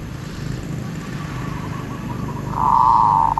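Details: Zebra dove song, noted for a good 'od' trill: faint pulsed notes at first, then a loud, steady, burring trill near the end over a constant low rumble.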